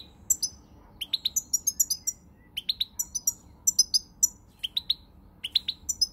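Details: European goldfinch in song, 20 March 2020, pouring out fast, sparkling twitters in tight groups, high and tinkling, with short silences between bursts and occasional brief slurred notes.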